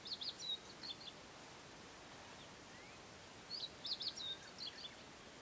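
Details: A Narcissus flycatcher (Ficedula narcissina) in mountain forest at Matsunoyama Onsen, Japan, sings two short, bright phrases of quick whistled and chirping notes about three seconds apart; Narcissus flycatcher.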